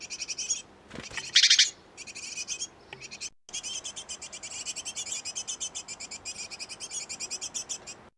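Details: Great tit pair nesting in a newly put-up nest box, busy feeding young; rapid high chirps in dense buzzy bursts, with one loud harsh burst near the start, then a steady run of repeated notes to the end.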